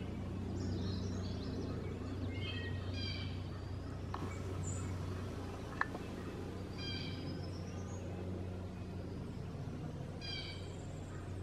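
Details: An Orange-crowned Warbler at Evansburg State Park, Montgomery County, Pennsylvania, on May 7, 2015, gives short, thin, high trills of rapid notes every few seconds, faint over a steady low rumble of distant traffic.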